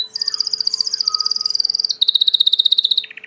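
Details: Belgian canary, a domestic canary breed, singing rapid buzzy trills of high repeated notes, about four per second, with a pitch drop near two seconds and a lower final trill.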